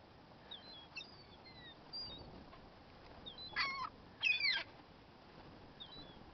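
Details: Hungry gulls give thin, high, slurred calls over a hissing background, with two louder bursts of wavering, squealing notes in quick succession partway through.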